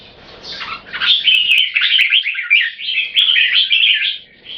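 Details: Red-whiskered bulbuls facing off, two equally fierce birds showing controlled aggression through frequent singing; after a soft start, a dense run of bright, jumbled warbling notes fills the remaining seconds.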